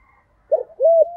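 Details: Spotted dove used as a decoy for luring wild doves, calling in the native voice style. A brief pair of mellow notes: one short coo followed by a longer, steady, hollow coo.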